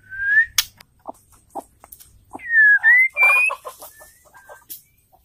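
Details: ['Calls of a female white-rumped shama, meant to spur males into song: a few slurred whistles, some rising and some falling, mixed with soft knocking, clucking sounds.']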